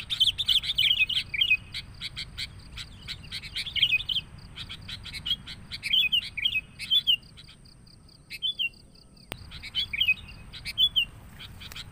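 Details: Sooty-headed bulbul lure sound used to draw in bulbuls: dense, noisy chatter of sharp chirps and slurred whistles for about four seconds, then looser phrases of bubbly rising-falling whistled notes with short pauses, over a faint steady high hiss.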